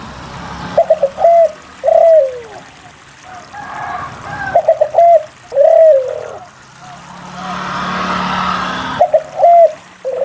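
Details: Lure song of a vocal spotted dove, meant to coax silent doves into singing: three cooing phrases, each a rapid stutter of short notes ending in a drawn-out coo that slides downward, with a faint rushing hiss between.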